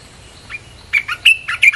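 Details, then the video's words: Red-whiskered bulbul song meant to draw in wild birds: a soft opening note, then a quick string of bright, clear whistles that rise and dip, the loudest one drawn out, all inside two seconds. "เสียงนกกรงตาแดงEp.252 เปิดล่อนกป่า"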